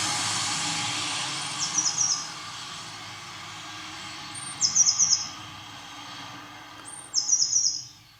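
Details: Eurasian blue tit singing early in the morning as a car approaches: three high phrases, each a thin note then a rapid trill, repeated every two to three seconds over a low steady rumble of traffic.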